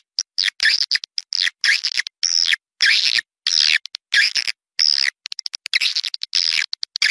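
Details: Outdoor swiftlet chorus from Malaysia for luring birds to a nesting house: sweeping, descending high chirps in short bursts roughly every half second, mixed with fast clicking runs.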